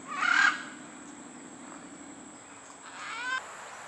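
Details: Arrival call of a great green macaw at Pierella Ecological Garden, Costa Rica: a loud, grating squawk, then a long pause and a second, softer, drawn-out raucous screech about three seconds later.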